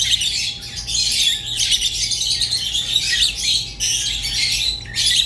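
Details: Budgerigar singing in rapid chattering phrases with quick clicks and squeaky notes, briefly dipping in loudness, over a faint continuous tone.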